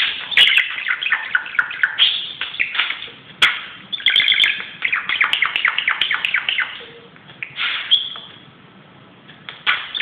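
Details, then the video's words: Indoor budgerigar acting wild on a closet, pouring out rapid chattering phrases of clicks, squeaks and trills, broken by short quiet gaps, a few sharp taps, and a louder whistled chirp near eight seconds. "grasparkiet doet zottekes op de kast"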